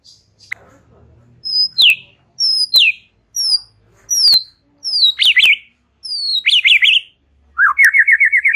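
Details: White-rumped shama in relaxed chattering song: a series of sharp, high whistles sliding downward, some ending in brief warbles, then a quick rippling trill of repeated notes to close. A faint low hum sits underneath.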